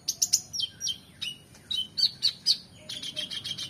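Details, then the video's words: Oriental magpie-robin singing with rich fill-ins, used as tutor song for competition birds: quick sharp chirps, bending whistles and a brisk run of repeated clipped notes. "KONIN GACOR EMOSI FULL BONGKAR ISIAN MEWAH‼️Cocok Untuk Masteran Burung Lomba"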